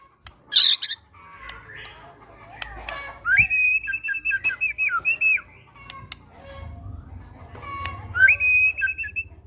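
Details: Caged White-rumped shama (murai batu) with great tit material, used to coax other birds to sing: a sharp high squeak, then a run of loud, clear, wavering whistled phrases, repeated again after a quiet spell.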